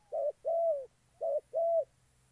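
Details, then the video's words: A decoy spotted dove used for trapping wild doves, Gia Lai, Vietnam. Two quick phrases each pair a short low coo with a longer, smooth coo that falls slightly at the end, in a quiet setting. "Bẩy chim cu gáy.. clip 85. Mồi đồng chó chụp bắt bổi thổ đẹp trai"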